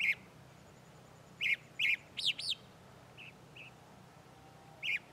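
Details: Singing chalk-browed mockingbird, locally sabiá do campo or papa sebo, from the Bahia sertão in Brazil: sharp, chattering high phrases in bursts, brief soft double notes, then another harsh phrase, with a faint low hum beneath.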